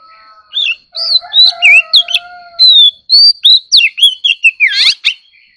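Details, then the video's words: Oriental magpie-robin singing competitively: a long low steady whistle-like tone underlies a rapid run of sharp whistled notes, upslurs and downslurs, ending in a dense burst of buzzy swept notes. "choè than kích hót || choè than hót đấu"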